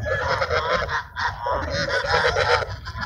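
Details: A flock of ducks at feeding time in Sunset Park gives loud, continuous, overlapping nasal quacks and honks, barely pausing, over steady low background noise.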